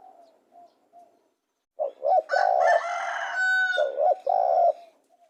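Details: Spotted dove coos, soft at first, then a full phrase of short notes and a held coo following a loud rasping crow-like call that overlaps the start.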